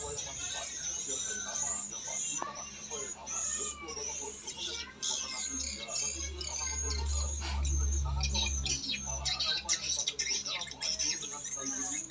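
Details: Black-nest swiftlet; roosting call; roosting call played to lure swiftlets into nest houses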